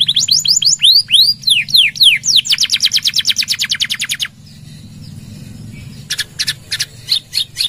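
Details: Canary song in the gacor style with long 'nembak' shots and church-like 'gereja' fill, kept as a bait and tutor song for training other birds: rapid swooping whistles, then a long run of fast repeated notes, a pause, and short trilled bursts.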